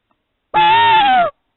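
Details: Tawny owl at a nest box, 1am on 9 March 2017 in Norfolk, England, as breeding season nears: a single harsh, nasal screech under a second, rising slightly before falling away, with silence on either side.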